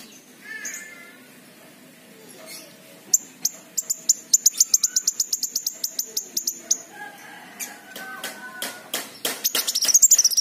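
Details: King konin song, used as a lure to prompt untrained, reluctant birds to sing: a fast run of high, sharp ticking notes, about four per second, with lower whistled phrases and harsh chattering notes near the end.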